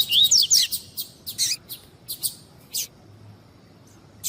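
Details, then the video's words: Female double-collared seedeater of the tui tui style calling to get a cold male singing: opens with fast whistled up-and-down slurs, then irregular sharp high chirps thinning into quiet. "Esquentar Coleiro Tuí Tuí Com fêmea Chamando"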